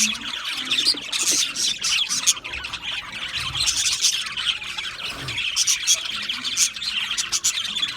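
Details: Budgies chirping together, a continuous busy mix of scratchy squawks and quick twittering notes overlapping without pause.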